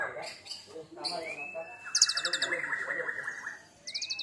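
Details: Oriental magpie-robin (kacer), a caged contest bird recently through its first moult, singing a sharp rapid phrase: long level whistles, then a fast burst of high trilled notes, with faint voices behind.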